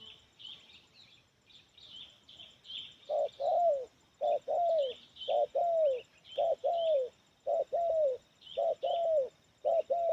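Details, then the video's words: Spotted dove, sula-head type, singing in a medium, loud 'kuk 1' style: low rounded coos repeated roughly every second. Busy high chirping from other birds runs throughout. "Suara Menengah Lantang Kuk 1 Banyak Isian"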